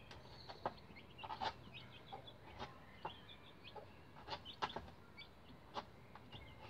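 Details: About eleven-day-old bantam Rhode Island Red chicks using a hen ladder, giving faint brief high chirps among loud clicking and tapping sounds, with light background hiss.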